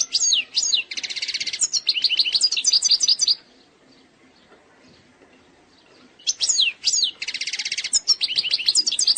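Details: Algerian goldfinch performing eastern-sector song, presented as free of mistakes: sweeping whistled notes lead into a harsh buzzy trill and then liquid twitters, followed by a three-second pause before the same pattern is repeated.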